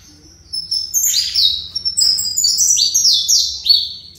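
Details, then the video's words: A caged saffron finch delivers fibra song, a continuous series of clear, high whistled slurs falling in pitch, repeated about three times a second for over three seconds. "Canário Fibra CCM"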